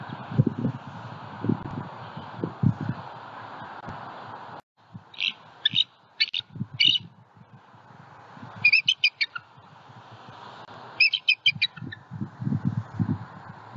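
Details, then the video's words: Wild bald eagle pair calling in alarm at their nest tree in Southwest Florida while guarding their first-hatched eaglet as a juvenile eagle flies over; bursts of high, rapid chittering notes in short series, with wind and rustling noise. "Juvie Disturbs the Peace! * Harriet & M15 Very Vocal * Protecting E14"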